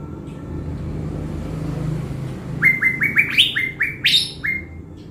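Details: Decoy blue-winged leafbird from Bình Thuận, Vietnam, readied to stir up wild birds. After two seconds of near quiet, a fast string of about eight upslurred whistles pours out, with sharper high notes near the end, over a low rumble.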